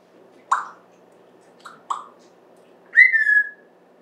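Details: Pet African grey parrot, September 14, 2024, indoors: two short clicky notes and a soft chirp, followed by a sustained clear whistle held for half a second.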